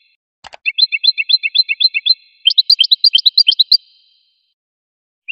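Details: A sharp click opens this goldfinch song, then a steady trill of repeated high notes follows, then a faster, higher burst of rising flicks, then a lone note at the end.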